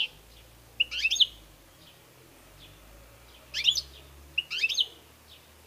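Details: European goldfinch, kept bird, giving short bursts of bright twittered notes with a brief trill, spaced by gaps, over a low steady background hum.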